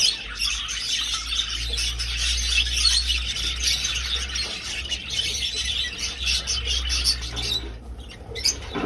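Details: A flock of budgerigars flying in an old breeding aviary chatters nonstop in a dense, high warble of overlapping chirps and squawks, over a steady low mechanical hum.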